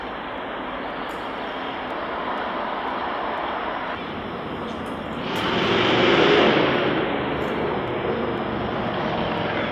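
Continuous vehicle or aircraft engine roar that swells midway and then eases, with no animal calls heard.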